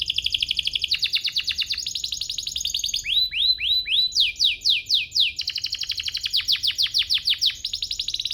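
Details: Canary song used to set other canaries singing, a continuous chain of rapid rolled trills broken by runs of clear rising upswept whistles, each phrase repeated many times.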